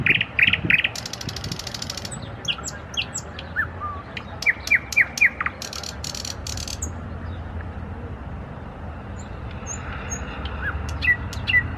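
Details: Nightingale trilling: short bright swept notes at the start, a rapid mechanical rattle, quick whistled slurs, then bursts of harsh rattling and clicks that fade into sparse faint notes, with a low constant rumble throughout.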